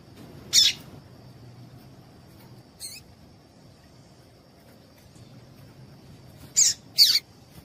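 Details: A female Double-collared Seedeater calls to stir a male to sing. Four short, high, scratchy chips, the first alone, then one softer note, and finally a close pair near the end, over a thin constant whine.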